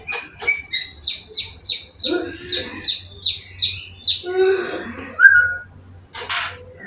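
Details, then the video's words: Young wild-caught white-rumped shama from Semarang, tame yet bold, singing while its cage is held: a run of about eight evenly spaced, high, down-slurred whistled notes, then lower warbled phrases, with a few brief clicks and handling noises. "Murai Batu muda hutan ini gacor walau di pegang sangkarnya"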